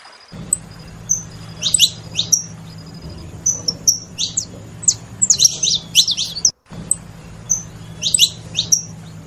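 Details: Saffron finches noisily chirping, clusters of quick sharp descending high notes separated by short gaps, with a thin continuous high tone and a low hum underneath.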